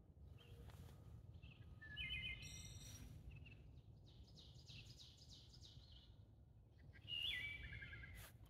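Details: Wood Thrush song at midday during peak spring migration in southern Maine: short fluty phrases ending in buzzy, rippling trills, repeated every few seconds, over steady low wind or traffic rumble.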